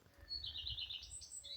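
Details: Common Redstart sings overhead on a 9 May Global Big Day survey in Wiltshire, England: a quick phrase of sweet, slightly wavering notes then a higher, thin tinkling flourish, over a faint low rumble.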